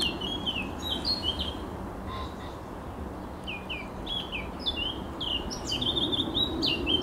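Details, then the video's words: Eurasian blackcap song recorded 7 June 2023: bright, fluty warbling phrases in bursts at the start and again later, separated by short pauses, with a soft hum of background noise underneath. "Śpiew kapturki"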